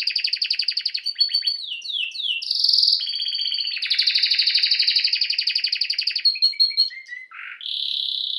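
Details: Canary song built of rapid, high, rattling trills, buzzy bursts and quick slurred notes, with a few lower whistled notes near the end.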